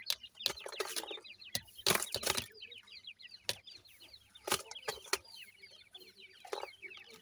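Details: Grey francolin chicks with an adult pair chirp continuously in high, quick, slurred peeps, many overlapping, while loud bursts of rustling or flapping cut in repeatedly.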